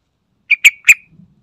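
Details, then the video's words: Sooty-headed bulbul played as a lure to prompt other birds into singing: a short phrase of three clear notes near the same pitch, rising in loudness, then a faint low murmur after. "Sekali Putar Langsung Nyaut Dengar Suara Trucukan Isian Istimewa"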